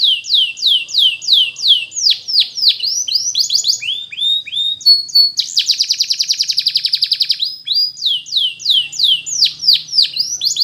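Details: A Belgian canary's training song for young birds opens with repeated downward-swooping whistles. A long, rapid, rattling trill follows, then the song returns to swooping notes, all high and bright.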